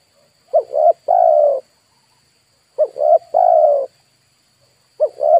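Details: Spotted dove used as a lure for wild birds; loud cooing phrases of two short rising notes followed by a longer drawn-out coo, repeated about every two and a half seconds, with a faint steady high whine behind.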